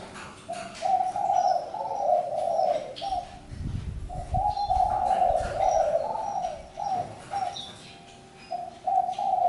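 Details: Spotted dove calling in a series of low, hollow cooing phrases that swell and fade. A pause falls near the middle before the cooing resumes, with faint higher chirps and rustling behind.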